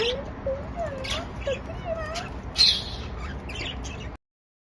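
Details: Happy budgerigars kept as pets chirp and warble in short squeaky phrases, one louder sharp note standing out, before the sound cuts to silence.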